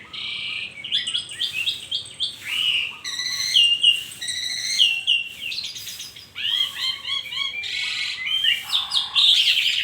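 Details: Dense morning song of an Asian pied starling, a rapid medley of whistles, trills and scratchy chatter with brief gaps.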